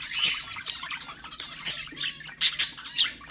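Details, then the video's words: Pet budgerigars giving loud sharp squawks mixed with soft chattering warble, with several strong bursts spaced through the clip, recorded to get budgies singing. "تحفيز طيور البادجي أقوى صوت بادجي تسمعه"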